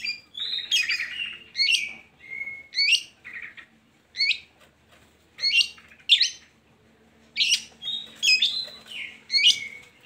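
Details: Long-tailed shrike song played to lure lazy shrikes into singing: separate harsh, buzzy phrases with rising and falling sweeps, one roughly every second, with short pauses between.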